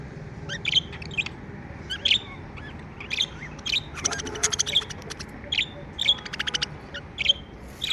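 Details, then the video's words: Happy pet budgerigars chattering indoors: quick high chirps every half second or so, broken mid-way by rapid rattling clicks, with a low room hum underneath. "Happy Budgie Sounds | Chirping sounds | parakeets sound | budgie sounds"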